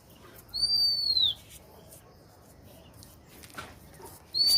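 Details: Lonely bird calling: a long thin high whistle sliding slowly downward, then a quiet pause before the next whistle begins, with faint background hiss.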